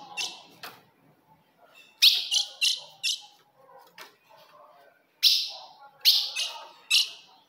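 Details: Female ultramarine grosbeak calls, played to provoke a male: sharp, bright chips in quick loose runs of two to four, with short gaps between bursts and faint low rustling underneath.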